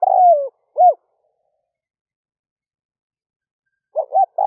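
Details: A decoy spotted dove calls at daybreak to bring wild doves closer. A long falling coo ends in a short hooted note, then after about three seconds of silence a quick pair of low notes opens the next phrase. The recording is otherwise clean.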